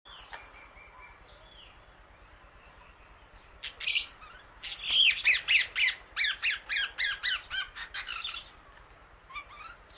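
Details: Female Indian ringneck parakeet outdoors eating grass among many birds; a quiet start with a few faint notes, then a fast run of loud, harsh squawks repeated several times a second for about five seconds before fading.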